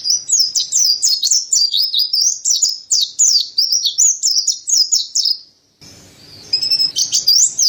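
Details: Mountain white-eye (pleci dada putih) singing energetically: about five seconds of fast, high, zigzagging twitters, a short drop to quiet with a faint low hum, then a few more high whistled notes.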